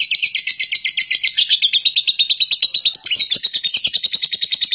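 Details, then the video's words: Lovebird of the fighting sort calling to goad other lovebirds into lively song. Continuous high-pitched, rasping chatter of quick pulsed notes with a brief upward sweep partway through, steady and unbroken. "Suara Lovebird Petarung, Pancingan Lovebird Agar Gacor Lama"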